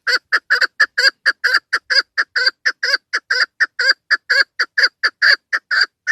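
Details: Hunting lure call of a female chukar partridge, with sharp chuk notes repeated about twice a second in an even, continuous run with no other sounds.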